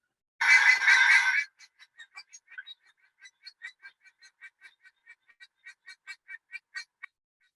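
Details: A New Zealand bellbird gives its alarm call: a harsh rasping burst, then a steady run of short clipped notes, about two or three per second, in a mid-high pitch.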